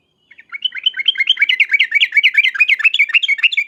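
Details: Sooty-headed bulbul calling in the 'ngriwek uplik uplik' manner meant to draw a reply: a rapid, continuous run of bubbly, rising-and-falling chirps lasting about three seconds with no other sounds.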